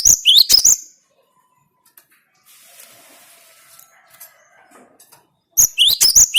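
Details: Gelatik batu sound for provoking kept birds: a quick burst of high rising whistles, a long quiet stretch with faint low murmuring noise, then another rapid run of sharp upward notes at the end.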